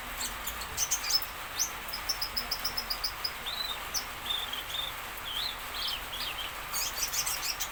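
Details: Common iora (konin) singing a 'dacok isian' song meant to make other birds answer: a run of thin, high chirps, then clear whistled notes that rise and fall, over a steady faint hiss.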